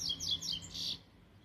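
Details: Double-collared seedeater, a young bird just out of moult, giving a subdued, 'cold' tui-tui song: a quick run of bright high chirping whistles followed by one longer buzzy note, then quiet.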